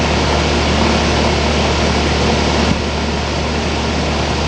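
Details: Loud continuous engine-like roar with a deep low hum that drops slightly partway through, and no animal calls.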